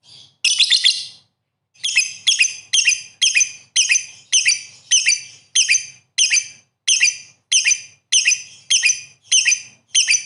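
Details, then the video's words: Lovebird calling persistently: a long series of sharp, high, buzzy chirps, each repeated about every half second after an opening burst, in a quiet setting. "lovebird gacor sekali"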